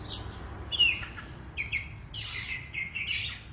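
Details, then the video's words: Oriental magpie-robin in lively song: a thin descending whistle, two short sharp notes, then harsh, scratchy buzzing phrases mixed with higher whistles, against low background noise. "kacer super gacor full"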